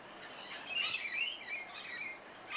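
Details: Rainbow lorikeets chatter with a raspy, churring run of calls, rising in the middle and then fading, over a noisy background.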